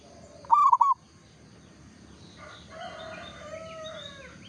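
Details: Zebra dove of a local type, singing actively: a single quick stuttering coo phrase near the start, then faint distant bird chatter and low ambient noise.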